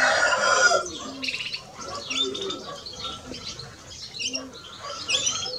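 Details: European greenfinch, a male and a female, giving twittering song: sharp high chirps and short buzzy notes in loose bursts, with low cooing arcs from another bird in the background.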